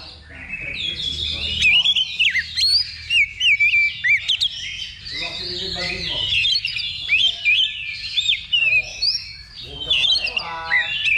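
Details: Magpie-robins singing at a simulated level 2 contest for pre-competition training. Rich, fast song of sharp whistled slurs and trills overlaps continuously, with faint human voices underneath.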